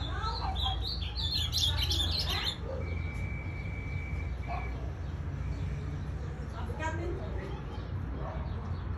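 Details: Kept ultramarine grosbeak singing in the pelado song style: a burst of quick, warbled high phrases in the first seconds, followed by a steady whistled tone and scattered fainter notes over low background hum.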